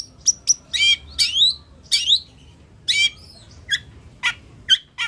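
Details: Long-tailed shrike, known locally as cendet, pentet or toed, singing vigorously: harsh squawking bursts and sharp downslurred notes, separated by short gaps, over a quiet background.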